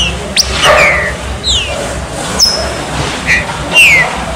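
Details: Chuva serrinha style song of a green-winged saltator, meant to warm up another bird: a few sharp descending whistled slurs with short pauses, set against a constant low background rumble.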